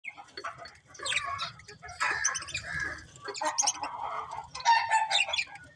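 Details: Pet budgerigars chirping: bursts of scratchy, warbling chatter with short buzzy notes and a few clear whistled tones, coming in uneven clusters with brief quieter gaps.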